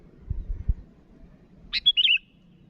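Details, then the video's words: After a few soft low thumps, a sooty-headed bulbul calling to a rival gives a single bright phrase: a sharp note, a clear whistle, then a brief warble. "Suara burung Kutilang Gacor memanggil lawan"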